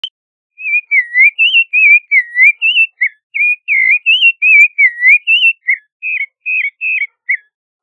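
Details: Creamy-bellied thrush (Turdus amaurochalinus) singing a steady run of short warbled, slurred notes, about three per second, rising and falling in a narrow mid-high band, with no other sounds.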